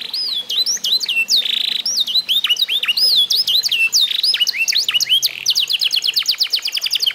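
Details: Canary of the F1SF line, eight months old, after mastering training, delivering looping upslurred whistles, a short buzz, then a quick run of clipped high notes.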